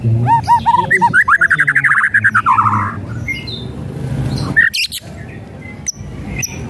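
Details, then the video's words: White-rumped shama song played to stir a lazy bird: repeated arched whistles followed by a fast, loud rattling trill, then scattered sharp high notes amid low rumbling noise. "SIULAN DAN KRETEKAN MURAI BATU | pancingan murai batu malas bunyi"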